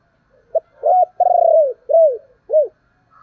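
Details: Decoy spotted dove giving its thúc and calling coos to lure wild doves: a short note, then a long hoarse coo and two falling arched coos, repeated at a lively pace in a quiet setting.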